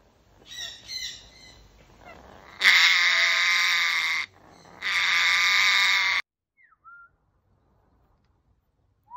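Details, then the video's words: A pair of captive African grey parrots kept in Germany, free to go outside or inside. Two long, loud, harsh screeches of roughly one and a half seconds each, rich in overtones, followed by a few brief thin whistles. "African Greyparrot - Graupapagei (Psittacus erithacus)"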